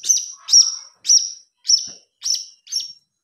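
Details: Young blue-crowned hanging parrot used as a lure sound, begging with six evenly spaced, piercing high tweets, each a short sharp note with a brief buzzy tail, about two per second in a quiet setting.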